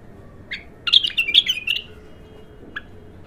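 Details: Untrained bulbul in its first singing session: a single chirp, then a one-second burst of quick, bubbly warbled notes, and another lone chirp near the end, over a faint low hum.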